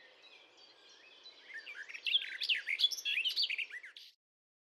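Garden Warbler giving a fast, bubbling warble of rich, thrush-like notes tumbling up and down without a clear melody, with faint background hiss.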